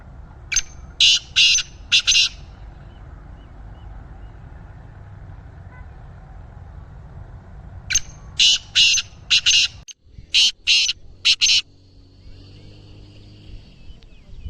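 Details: Caged male-style speeder kala teetar, a black francolin of the chakri wala type, gives two harsh calling phrases about seven seconds apart; each has four to six rasping, scratchy notes in quick succession, over a steady low hum.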